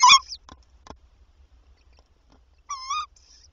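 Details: Tawny owl at night at a nest holding three chicks; the male brings a mouse, and the female later returns with one. A short clipped call opens, followed by soft clicks, then a clear, even, harmonic call lasting about a third of a second.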